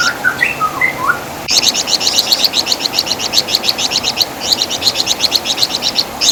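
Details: Flamboyan, or wergan jawa, the Javan fulvetta, used as master song for songbird training. Opens with a few lower varied whistles, then a sharp click and a long fast stream of high chattering chirps broken by one brief pause.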